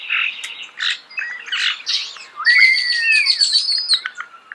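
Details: Nearby starling mixes rattling buzzy notes with clicks, then a rising whistle leading into a stretch of high, rapid, tinkling chatter.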